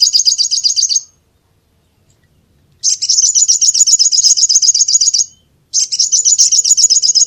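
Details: Three bursts of rapid, high-pitched, buzzy chattering from a brown-throated sunbird, with brief silent pauses between them.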